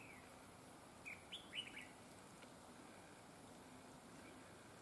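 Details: Red-whiskered bulbul used as a trapping decoy, described as having a very good double linked voice; a brief string of three or four crisp whistled chirps rising and falling in quick succession, surrounded by quiet background hiss.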